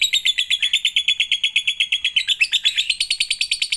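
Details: Lovebird singing as bait to prompt other lovebirds into song: quick repeated high chirps in a continuous chatter, shifting slightly higher near the end, with nothing else audible.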